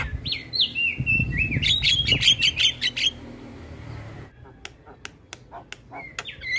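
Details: Javan myna singing as training audio for all kinds of starlings, with head-bobbing: drawn-out whistles and a dense stuttering chatter for three seconds, a pause, then scattered sharp clicks and a final whistled upslur.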